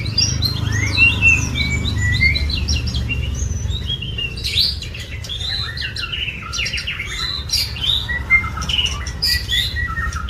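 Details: White-rumped shama song, dense and hurried, with chattering notes, quick up-slurred whistles and sharp clicks in close succession, against a steady low rumble.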